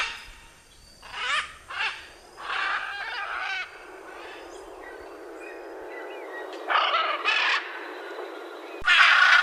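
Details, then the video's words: Harsh, grating macaw calls in short bursts, set against a steady hiss of background noise between the bursts. "CANTO DA ARARA - SOM DE ARARA CANTANDO"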